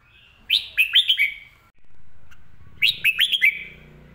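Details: Caged red-whiskered bulbul repeats the same quick phrase twice: five bright whistled notes rising and dropping in rapid succession, with a low hum between phrases.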